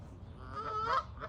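A Canada goose gives a single drawn-out, nasal honk that rises and then breaks upward, followed by a fainter second note, over low background rumble.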